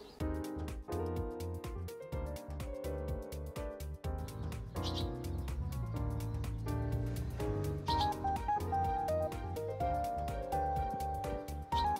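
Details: Steady instrumental music with a regular beat and melody fills the whole stretch, with no animal voice standing out.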